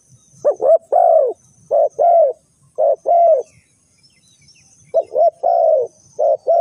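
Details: Spotted dove used as a decoy for bird trapping, giving low, mellow cooing phrases: two short notes then a longer drawn-out coo, repeated three times with pauses.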